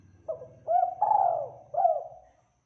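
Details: Spotted dove with a clear, rich, frequent song, in a training recording: one phrase of a short low coo, a rising coo, a long sustained coo and a final clipped coo, over a steady low hum.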